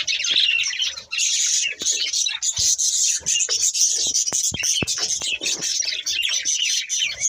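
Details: Breeding pair of budgerigars chattering in a dense, continuous high warble of buzzy chirps and squeaks, with scattered sharp clicks and taps throughout.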